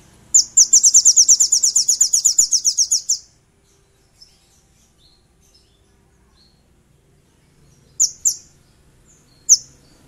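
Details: Velvet-fronted nuthatch, a lure recording in a 'ngleper' style meant to call and provoke rivals: a rapid, very high, even trill of about twenty notes over three seconds, then silence and two short high sharp notes near the end.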